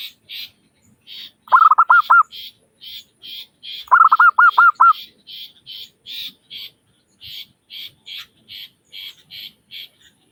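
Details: Zebra dove, local type, calling as a lure. It gives two brief bursts of quick, bright, hooked notes, while fainter high buzzy pulses tick on steadily throughout.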